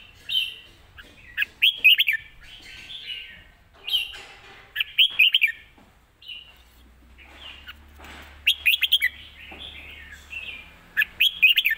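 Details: Red-whiskered bulbul kept as a Thai cage bird, heard live singing fast 'rik' phrases with good phrasing: repeated clear chirpy warbles, several quick note clusters spaced a second or two apart.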